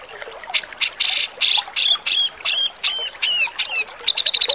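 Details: Grey-cheeked bulbul from Java, harsh song used as a tutor recording for cage birds: loud raspy bursts repeated about three per second, then a quick run of short buzzy notes.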